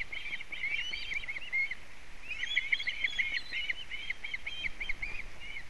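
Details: Ospreys at a Latvian nest on a wet 4 July 2017, with a fish: two bursts of quick, shrill, whistled chirping notes in tight series, separated by a short gap, against low rustling background noise.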